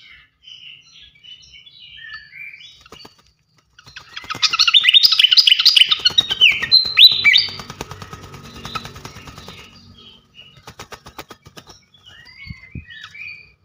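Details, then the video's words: Fantail flycatcher, a champion songbird, in training song: scattered short whistles, then a long dense run of high twittering, then quieter whistled phrases. "gacoan ngeplong masteran asah mental burung jawara khas srikatan kipas"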